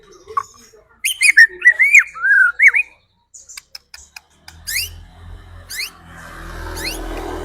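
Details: White-rumped shama song used to provoke rival birds into singing: rich, looping whistled phrases, then scattered clicks and high upslurred notes over rising background rumble.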